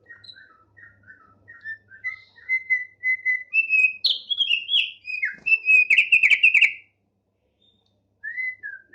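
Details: Tame Thick-billed heleia in lively song: a run of short, slurred whistled notes, then a faster, higher, denser burst of warbled phrases with sharp clicking, ending in silence before a final whistled pair.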